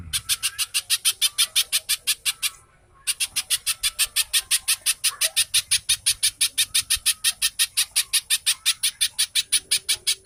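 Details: Little spiderhunter (cici codot) singing rapidly and densely, a recording used to coax captive birds into song: a long, steady train of scratchy, high-pitched notes at about five per second, broken by one brief pause near three seconds.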